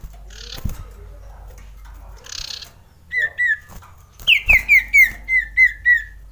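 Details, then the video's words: Male common iora, worked up for mating, used as a lure for quiet birds: short paired whistles followed by a fast string of about nine falling whistled notes, evenly spaced, over a faint background rustle. "Pancingan Cipow / Sirtu Untuk Cipoh Malas Bunyi"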